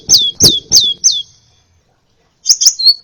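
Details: Crimson sunbird song from a tutor recording with many variations: four loud downslurred high notes about three per second, a silence, then a short twittering burst.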